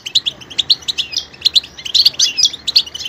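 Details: Short stretch of goldfinch song: bright, high, fast twittering notes in clipped bursts, some liquid slurred chirps, over a light background hiss.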